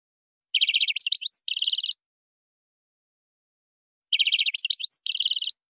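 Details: Goldfinch song of the Tadmait style, meant for tutoring young birds: a short phrase of rapid rattling trills and a rising slurred note, then a pause of about two seconds before the same phrase returns, with no background noise.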